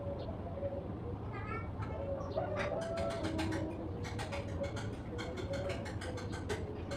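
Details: A small number of sparrows feeding at sunrise start a rapid run of sharp, high chirps partway through, repeated several times a second, over a low continuous hum.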